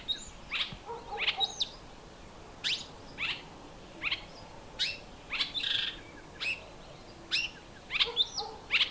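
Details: Fork-tailed drongo at dawn, still half dark before sunrise, mimicking a Dark-capped Bulbul's alarm call after being woken by noisy Hadedas. Harsh, buzzy chattering notes repeat irregularly, roughly twice a second, with short pauses between bursts.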